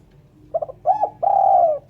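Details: Spotted dove calling, clean recording for use as a bird lure; a quick trio of soft coos, a double coo, then one long sustained, slightly falling mellow note.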